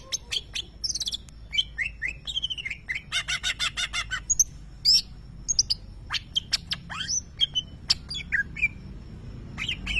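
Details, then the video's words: Greater green leafbird, a champion contest bird, mimicking a lovebird: a rapid jumble of sharp high chirps, buzzy trills and downslurred whistles, with a dense run of evenly spaced clicks around the middle and a low background hum. "Cucak ijo nembak suara Lovebird"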